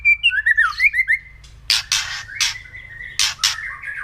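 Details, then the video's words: White-rumped shama kretekan song used to provoke other birds into an emotional response: a run of clear whistled notes and slurred warbles, then loud harsh crackling bursts alternating with a thin sustained whistle. "KRETEKAN MURAI BATU LANGSUNG AUTO EMOSI"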